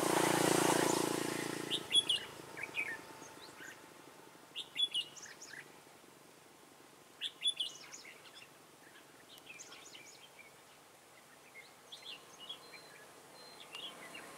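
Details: Decoy red-whiskered bulbul during trapping, 15 March 2018: a loud rustling noise opens, followed by scattered quick whistled chirps and short warbled phrases coming in irregular bursts over a steady hiss.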